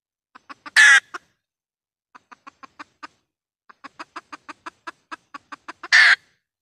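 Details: Red junglefowl decoy hen calling, used to attract wild birds for trapping: a loud raspy squawk, then long runs of soft rhythmic clucks, ending in another harsh squawk.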